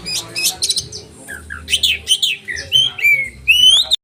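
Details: Caged oriental magpie-robin with sharp 'roll tembakan' song for training birds: harsh chattering bursts, short whistled notes and a final clear rising whistle.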